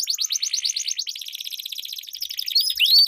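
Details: Canary song used as a lure to train competition birds: dense high rolling trills of rapid repeated notes, shifting into faster buzzy runs with a few clear upslurred whistles near the end.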